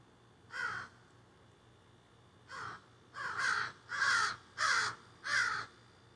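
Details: A group of crows carrying on in trees behind a yard, phone recording: a lone caw, a pause, then five rasping caws coming faster and louder in a steady run.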